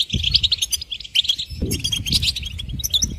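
A goldfinch sings a fast, tinkling jumble of high twittering notes and liquid trills, with a low background rumble underneath.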